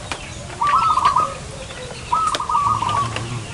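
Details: Zebra dove calling while being lured for trapping in front of a house: two quick stuttering, bubbling coo phrases, each under a second long, about a second apart, over faint background noise.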